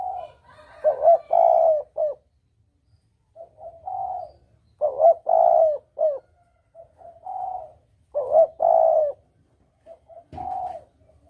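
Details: Spotted dove call for luring during hunting, double 'kuk' style. Three full phrases, each a quick doubled coo, a long mellow coo and lighter trailing coos, come about every three and a half seconds, with a brief click near the end.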